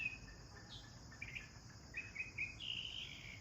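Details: Sparrows chirping while bathing: brief high tweets spread across the clip, ending in a longer, buzzier chirping run, over soft background hiss.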